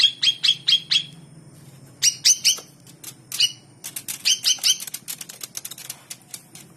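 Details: Captive long-tailed shrike trained by hand as a fighter; a run of clear, high whistled notes repeated quickly, then scratchy harsh notes and brief fluttering, closing with another burst of whistled chips.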